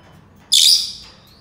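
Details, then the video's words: Senegal parrot giving one harsh, shrill burst about half a second long, very high-pitched and noisy, fading out into quiet. "Senegal parrots sounds تصفير جميل و محفز لببغاء اليويو السنغالي"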